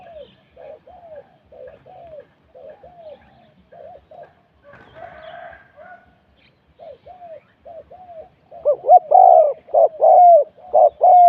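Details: Spotted dove during decoy luring: soft, distant-sounding coos repeated about once a second, a brief burst of rustling noise midway, then much louder, close cooing phrases toward the end.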